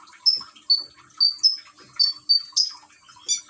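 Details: Common iora, Gresik, East Java, heard with trickling water played to encourage singing: separated high clear whistles, some drawn out and falling, one harsher burst near the end, over splashing water.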